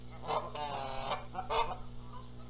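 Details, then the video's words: At a Canada goose nest in Charlo, Montana, in April 2022, birds dispute who incubates the eggs; two brief nasal honks a second apart rise over a low background hum. ""MY eggs!" "NO! MY eggs!" Canada Goose"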